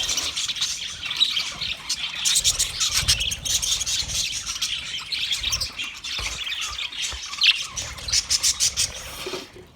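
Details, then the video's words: A group of budgerigars on 29 February 2024 keeps up nonstop warbling chatter, thin whistled chirps and scratchy squawks layered together, with louder bursts late on. "Best Sounds Of Budgie Bird"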